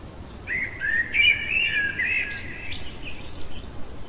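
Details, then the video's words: Blackbird in full night song: a flowing, mellow warbled phrase of fluted whistles, ending in a high scratchy twitter and a few quieter trailing notes, over low background rumble. "Merle chantant au cœur de la nuit"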